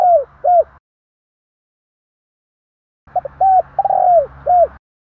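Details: Spotted dove calling to provoke and lure wild doves: two short arched mellow coos, a sudden silent gap, then a quick run of hooting coos with one longer drawn-out slurred note, ending abruptly.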